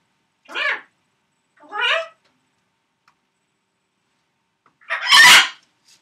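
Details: A male pet macaw, wanting attention before a favourite TV show comes on, gives two short, nasal, wavering calls about a second apart, then a loud, harsh, raspy scream after a brief pause.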